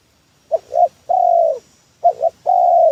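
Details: Spotted dove, a lure call used in trapping: two phrases, each a clipped double coo followed by a long level hoarse coo, with a quiet pause between them.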